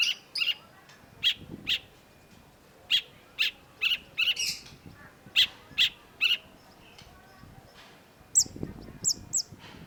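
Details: Long-tailed shrike (cendet), heard in a recording meant to get non-singing cendets going: a string of short, sharp, clipped notes repeated at irregular intervals, with a few higher chirps near the end and faint low rustling.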